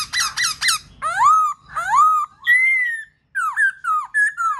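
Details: Black-throated laughingthrush singing, played to stimulate other birds to sing and dance: loud harmonic whistled phrases, some swooping up then down, others short and slurred, in quick bursts with brief pauses, over a low indoor hum.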